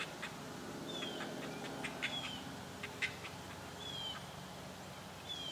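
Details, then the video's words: Great blue heron chicks, newly hatched, in one of three nests in a pine tree, begging with dry, irregular clicks and ticking notes. Thin descending whistles from another bird sound over a steady background hiss. ""I'm Hungry Sounds" Great Blue Heron chicks"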